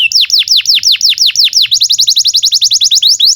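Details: Fluent canary song for encouraging silent or young canaries to sing: a series of deep downward-swooping whistles, then a fast, even run of short high notes at a steady pitch.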